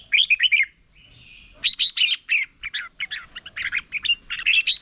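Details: Competitive morning song from a red-whiskered bulbul: a quick opening phrase of bouncing notes, a short pause, then a long excited sequence of rapid, warbling, chattering notes that runs to the end, over a faint high hum.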